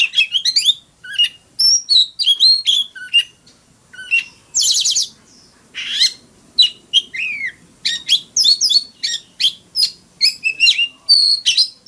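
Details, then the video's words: Fighting song of a caged Oriental magpie-robin, with rapid twittering phrases, a harsh buzzy rasp midway, and varied sweet whistles and chirps continuing in quick succession. "Tiếng than mồi hót đấu"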